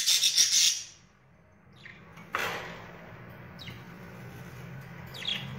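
Budgerigars give a burst of busy, high chattering chirps for about a second. A few faint single chirps and a sharp click follow over a quiet background.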